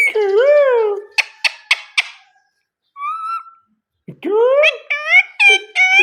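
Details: A pet Indian ringneck parakeet talking, chattering in harmonic, speech-like phrases mixed with short sharp clicks and whistled notes, pausing briefly between bursts.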